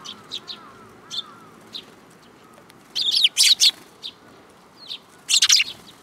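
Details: Several sparrows take food from an outstretched hand at a Tenmangu shrine, 7 July 2022. Short high chirps are scattered at first, then loud clustered bursts of harsh chirping come in two bouts, with soft rising whistles faintly underneath.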